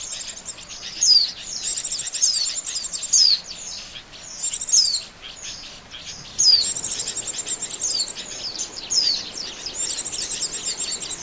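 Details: Lure sound for catching Oriental white-eyes: dense high-pitched twitter bursts, each carrying a bright descending note, pulsing in quick series.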